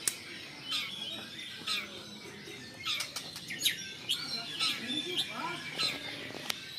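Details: White-rumped shama, agitated on seeing a rival, pouring out quick varied phrases of sharp chirps, upslurred whistles and clicks with brief pauses between them, plus a few low fluttering sounds.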